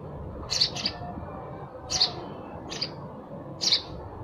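Sparrow giving short, bright chirps, singly or in quick pairs, about every second, over a low background hum.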